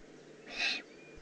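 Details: Juvenile Eurasian eagle-owl recorded in the Eifel on 18 June 2016, giving a single harsh, breathy hiss of about a third of a second over faint background noise.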